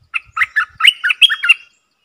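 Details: Streak-eared bulbul decoy bird singing to lure wild birds, recorded 3 June 2021; a quick run of about seven chattering, bubbly notes, bouncing between lower and higher pitches over about a second and a half, with faint low thumps.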